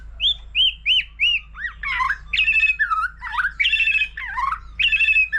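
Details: White-rumped shama singing many varied phrases as in song contests: clear rising-falling whistles repeated four times, then rich warbled and buzzy phrases that dip and rise, against a low background hum.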